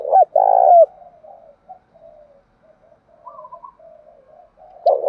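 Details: Spotted dove lure coo for provoking rivals; a loud two-note coo at the start, then drawn-out soft low cooing and another loud note at the close.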